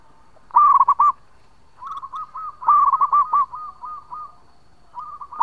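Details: Local zebra dove singing at length as a lure: loud clusters of quick, bubbling coos alternate with softer, evenly spaced coo notes that trail off, then another loud phrase begins.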